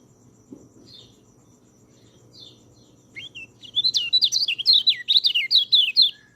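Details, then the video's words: White-eye song for coaching lazy singers: after a few faint high notes, a loud rapid sequence of twisting whistled phrases bursts in and runs for about three seconds. "MASTERAN BURUNG PELECI, cocok untuk burung peleci malas bunyi"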